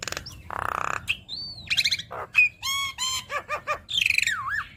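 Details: Javan myna song rich in fill phrases, aimed at getting other mynas to sing: a pulsing harsh rasp, a smooth whistle, stacked nasal falling notes repeated several times, then a buzzy trill ending in a looping whistle.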